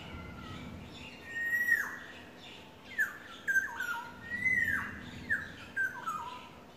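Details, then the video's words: Yellowbird courting, giving clear whistled notes that slide down from high to lower pitch, several in a row with short gaps, over a faint low hum indoors. "Beautiful sounds of yellowbird courting"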